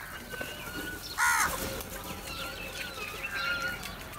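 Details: Amid crows gathering to feed, one short grating caw bursts out just after a second in, while other birds whistle and chirp softly throughout.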